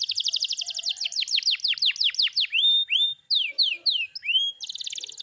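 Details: Kept canary in full song, opening with a fast rolling trill of downswept notes, shifting to slower curved whistles with a pause, then ending on a bright buzzy trill.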